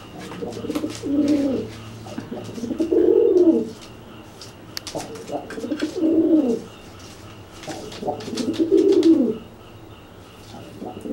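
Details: After a bath leaves one pigeon wet and flightless, the dry pigeon puffs up and coos at it. Four deep, rounded coo phrases arrive steadily, about every two and a half seconds.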